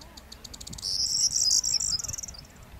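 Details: Corn bunting recorded in April 2011 at Fuente de Piedra, Spain: a run of quick, dry ticking notes that speeds up into a high, glassy jangling rattle lasting over a second, then a few scattered trailing notes.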